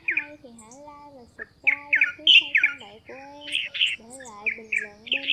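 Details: Flock-calling red-whiskered bulbuls, male and female, used as a trapping lure: quick bursts of bright chirping notes in uneven runs, with steady low human talk in the background.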